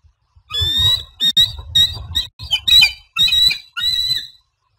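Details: A wild bald eagle pair at Standley Lake, Colorado, on an April afternoon, as the male delivers a fish to the new female: a series of high, shrill, chittering piping notes in quick bursts, with some low rumbling handling noise.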